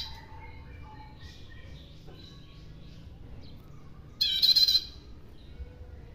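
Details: Bar-winged prinia lure call, heard as a single loud, harsh, buzzy burst of rasping chatter lasting under a second near the end. Earlier, soft high twittering notes from other birds sit over a steady low rumble.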